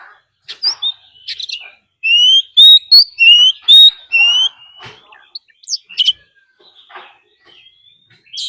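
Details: Fighting song from a decoy Oriental magpie-robin, used to provoke wild birds: scattered sharp chips, then a loud series of five or six pure, rising whistles in quick succession, followed by softer chirps and a high squeak.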